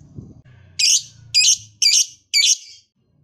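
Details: Lovebird giving four harsh, high, rasping chirps about half a second apart, with a low hum in the background; this bird's voice is used to encourage other lovebirds to sing.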